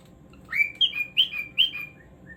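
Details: Cockatiel singing: a rising whistle followed by a run of clear, slurred whistled notes, each dipping in pitch, repeated about every half second, ending with two softer notes.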